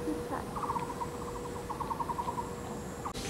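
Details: Taiwan barbet at a tree-hole nest in Yixuekeng nature ecological park, Taishan, Taipei County, during courtship duetting; two quick series of hollow, evenly pulsed knocks, each lasting under a second, over a steady background hum.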